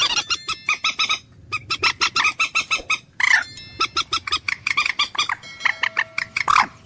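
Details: Common moorhen calling in a fast, steady run of sharp, nasal clucks, roughly three to four per second, broken by a louder croaking squawk; a faint thin whistle sounds near the end.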